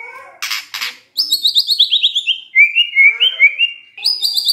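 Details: Shama song played in the morning to stir a silent bird to sing: two harsh bursts, then high rapid trilled phrases stepping down in pitch into shorter warbled notes.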